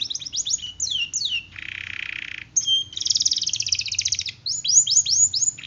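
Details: Canary singing a varied phrase: quick descending high sweeps, a harsh buzzy rattle held for about a second, then fast trills and more repeated downward-swept notes.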